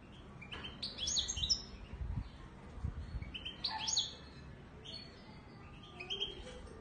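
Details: Widani Marrakchi goldfinch from Morocco giving scattered high twittering phrases in short clusters, with low rumbling background noise and faint knocks.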